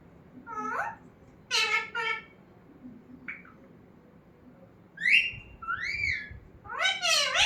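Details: Pet talking parrot indoors in a small room: harmonic speech-like phrases alternate with loud rising-and-falling whistles and a squawky burst at the end, separated by short quiet gaps.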